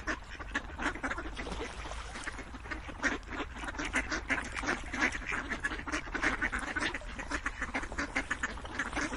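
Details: Group of ducks calling nonstop, coarse nasal quacks packed densely and irregularly, a low steady hum underneath.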